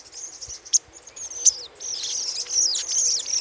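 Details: Little spiderhunter chattering, used for luring: a few sharp high chips, then a continuous run of fast, buzzy twittering with sliding notes.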